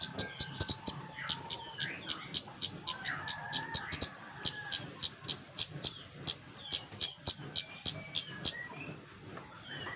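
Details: Flowerpecker song used as a lure to prompt other birds to sing: sharp, high ticking notes in a rapid, fairly steady series of about three or four per second, over a low background rumble and faint mid-pitched chatter.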